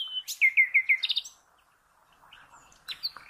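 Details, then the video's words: Common nightingale singing, meant for cage birds to learn from: a clear whistle, then a fast series of five descending slurred notes and a quick rattle, a pause, and a few softer notes. "The Best NIGHTINGALE Song"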